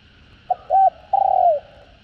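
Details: A single spotted dove phrase from a full set of calling, urging and cooing, used to stimulate decoy birds. Two quick, low, hollow coos are followed by a longer, steady coo that falls slightly at the end.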